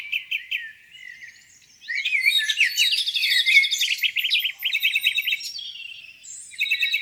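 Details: Spring morning by a lake: a few soft chirps, then a rich, rapid warbling song with trills and whistles, ending with repeated short notes.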